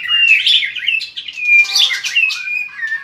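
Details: White-rumped shama, a caged bird singing hard with strong tail-flicking, trained for song contests: a rich, varied run of loud whistled notes and trills, sliding phrases and quick chirps delivered continuously.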